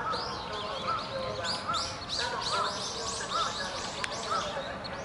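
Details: Two young little grebes about 50 days after hatching, at Inokashira Park's Ochanomizu pond on 25 November 2018, give short, clipped mid-pitched notes about once a second over a busy backdrop of higher chirps and twittering.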